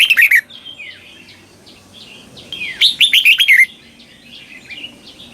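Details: Red-whiskered bulbul from Thailand singing a slow, clear doubled song in the southern master style, played for young birds to copy: a short whistled phrase, then a rapid burst of about seven sharp, bright notes, with faint distant notes between.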